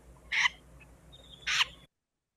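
Wilson's Snipe gives two harsh, raspy 'scaipe' notes about a second apart, the sharp call of a flushed bird, over a faint low hum.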